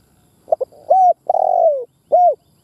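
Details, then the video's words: Close lure spotted dove giving a four-part cooing phrase to stir captive doves: stuttered double note, a level coo, a long throbbing falling coo, then a single rounded coo. "Tiếng Chim Cu Mồi Đất Thúc gù gáy"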